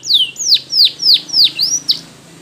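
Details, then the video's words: Belgian canary singing for training, a series of about six loud downward-swooping whistled notes spaced roughly every third of a second over a faint low background hum. "Belgian Canary Singing For Training"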